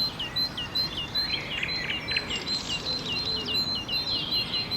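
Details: Great tit singing to mark out its territory at sunrise in the seven-hectare park of a geriatric centre in Saint-Brieuc, France, 2012: high, thin notes repeated in quick regular series, with other birds chirping alongside and a steady background hiss.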